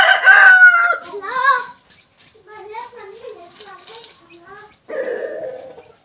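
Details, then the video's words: Rooster, one of a pair of kept roosters, gives a harmonic crow in the first second, followed by softer clucking and wavering fowl calls that fade, then a short broad squawk near the end. "a rooster crows a pair of roosters"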